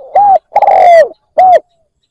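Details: Single phrase from a decoy spotted dove luring wild doves: a short soft coo, a longer coo bending down at its end, and a closing short coo, clear and close.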